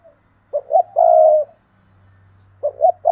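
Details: Decoy spotted dove calling in the thúc and gáy gọi styles, recorded 2022: a mid-pitched phrase of short bubbly notes running into a long steady coo, with a second phrase starting at the end over a faint low hum.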